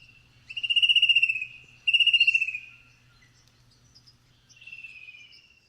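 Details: Fan-tailed Cuckoo in tall blue gum forest with fern undergrowth, Blue Mountains west of Sydney, giving its distinctive call: three high, rapid, slightly descending trills, each about a second long, against a faint low hum.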